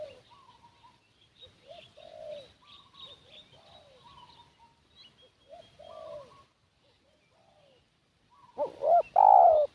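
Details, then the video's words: Soft, distant dove coos and high chirping fill most of the recording, then a single loud phrase of hooked notes and a long coo bursts in at the end from a spotted dove used as a decoy for wild doves. "Suara Pikat Burung Tekukur"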